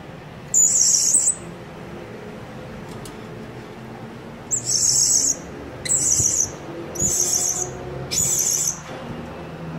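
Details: Blue-crowned hanging parrot calling as a lure that draws other birds to come, not to fight: piercing, very high buzzy trilled bursts, one early then four in quick succession after a pause, over a soft steady background hiss.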